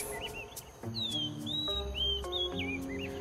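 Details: An Oriental magpie-robin in a garden by the Kingfisher pond in Pasir Ris Park, Singapore, sings clear, looping, melodious whistles rising and falling around a high pitch, several phrases in quick succession over steady background music.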